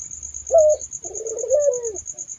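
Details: Single turtle dove coo: a short accented note, a pause, then a long rolling purr, over a steady high insect trill and faint low hum.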